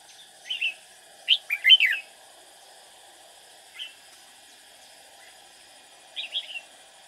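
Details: Caged decoy red-whiskered bulbul singing while trapping to lure rivals: brief bright warbled phrases separated by gaps, a quick twisting three-note run early on, then single notes and a final two-note phrase, with steady high background hum.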